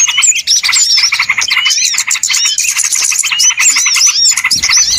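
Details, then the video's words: Small birds on a loud lure track for trapping: fast overlapping chirps and chatters run throughout with curling whistled notes, ending with a short low thump. "SUARA PIKAT BURUNG RIBUT ANTI ZONK"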